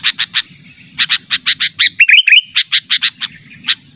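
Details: Rival-luring call of a sooty-headed bulbul, natural voice: rapid run of loud clipped chirps, a short twisting warbled phrase near the middle, then more chirps, over a faint low rumble and high whine.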